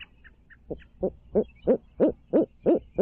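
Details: Barred owl at the nest in Midtown Tulsa gives a steady, accelerating series of deep, resonant hoots, each roughly a third of a second apart, growing louder, with faint high chirps at the start.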